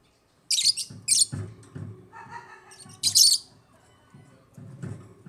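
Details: African lovebirds chirping in loud shrill bursts, with softer lower warbling notes in between and repeated low knocking sounds throughout.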